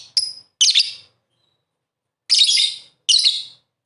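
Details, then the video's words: Shrill chattering lovebird song in the 'ngakak gacor' master style: a thin high note, a rasping burst, a pause, then two more grating bursts close together. "Master lovebird 100% ngakak gacor"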